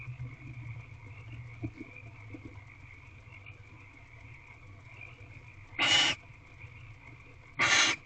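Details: Female barn owl in a nest box, looking out through the door on a March evening at 7:57 pm. Two harsh, hissing screeches about half a second long, nearly two seconds apart. A steady high whine and low hum run underneath.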